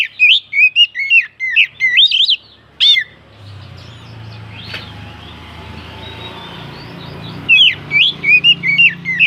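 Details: Oriental magpie-robin (kacer) song meant to stir other birds to sing: bursts of sharp, rapid, twisting whistled notes at the start and end, separated by a quiet stretch with low rumble and a few clicks.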